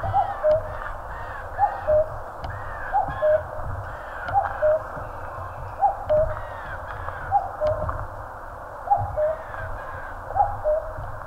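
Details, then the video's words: Mountain forest in Korea, where a common cuckoo gives a steady run of eight low, falling cuck-oo phrases about every one and a half seconds, while other birds chatter busily in the background. "청량한 뻐꾸기 울음 소리. Cuckoo chirping in the mountains."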